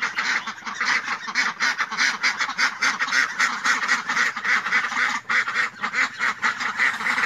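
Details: Ducks quacking almost nonstop, many overlapping nasal quacks in a busy chorus at roughly two per second, with loud, uneven bursts and no clear pauses.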